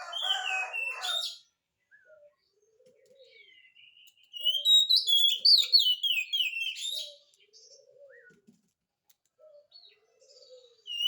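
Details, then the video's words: Oriental magpie-robin in strong song, played to prompt a reply: a loud burst of fast whistled phrases for about three seconds mid-recording, between softer scattered chirps and brief lower notes. "kacer gacor, cocok untuk pancingan kacer malas bunyi, jamin 1000% langsung nyaut"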